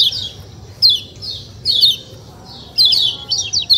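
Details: White-eye, locally called kecial kuning, giving its "ciak ciak" natural call: four separate bursts of high, thin, downslurred chirps, each about a third of a second, with short quiet gaps and a faint low hum beneath.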